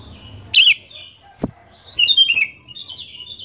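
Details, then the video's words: Lively sooty-headed bulbul song meant to trigger other bulbuls into singing: two loud bubbly whistled bursts about a second and a half apart, a single click between them, and a trailing softer warble. "Kicauan Kutilang Gacor DOOR, Jagonya Buat PANCINGAN, 100% Pasti Langsung BUNYI"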